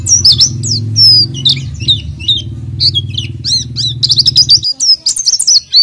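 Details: Lure song of a vigorously singing oriental white-eye for untrained birds: clear high whistled slurs and chirps spaced apart, a low hum until near the end, then a denser burst of chirping.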